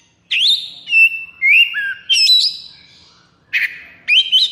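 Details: White-rumped shama in high breeding condition, a caged bird sung to as a master recording: loud clear whistled phrases, rising and sliding notes between short pauses, with a longer gap before two final bright whistles.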